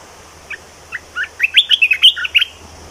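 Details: Cage-kept red-whiskered bulbul in lively, energetic song: a dense run of about ten sharp, sweet whistled notes that start sparse and then tumble together rapidly, with faint low hum beneath.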